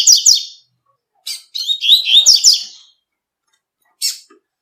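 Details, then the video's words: Double-collared seedeater in nature delivering its tui-tui song: a quick warbled burst, then a longer jumbled phrase of rapid slurred notes, with brief high chips before and after; background silent. "COLEIRO TUI TUI CANTANDO NA NATUREZA"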